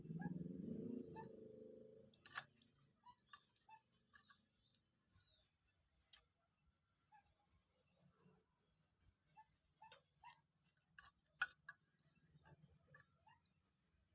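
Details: Two-day-old captive Common Moorhen chicks being hand-taught to eat feed; rapid high thin peeps repeated several times a second, with a low rumbling noise at the start and scattered clicks.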